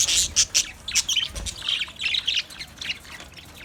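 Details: Budgerigar colony chirping, loud scratchy chirps at the start, then rapid warbling chatter that gradually softens.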